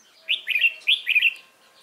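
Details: Caged red-whiskered bulbul giving a competition song phrase, two quick pairs of bright slurred whistles within about one second, clear and loud.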